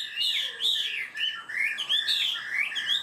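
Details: Caged Chinese hwamei delivering 'cao cầu' song, quick and steady to open its beak: rich looping whistles in rapid bursts, bending up and down, roughly one phrase a second with short gaps.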